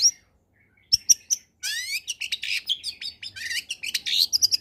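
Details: Long-tailed shrike in lively combination song, a lure for shrikes reluctant to sing: after a pause, three sharp high notes lead into a fast, rich warble of rising sweeps, trills and chattering phrases.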